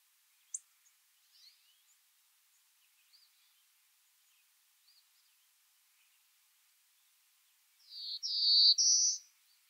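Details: Black-throated blue warbler at Heaven Hill, Essex County, New York, in the Adirondacks, on 26 May 2023, sings a short, lazy phrase of three buzzy notes, the last climbing higher, after a quiet stretch with faint distant chips.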